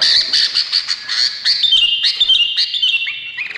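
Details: A bulbul said to be Indonesian delivers rapid high chattering chirps that slide into a smoother, slightly falling warbled phrase.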